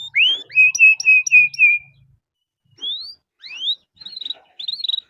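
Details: Canary song played to prompt other canaries to start singing. One rising whistle is followed by five repeated slurred notes. After a pause come rising slurs and a burst of quick twittering.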